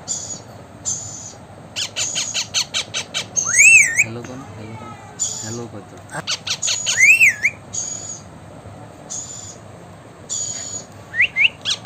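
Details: Blue Indian ringneck parakeet shown talking; bursts of buzzy chatter, wavering looping whistles, a low stuttering murmur, then repeated squawks and short rising whistles across nearly twelve seconds.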